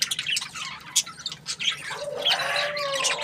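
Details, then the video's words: Budgerigar described as happy, chirping: a run of short scratchy chirps and squeaky notes, then a longer warbled chatter with a faint low whistle underneath, busy and irregular. "Happy budgie chirping sounds"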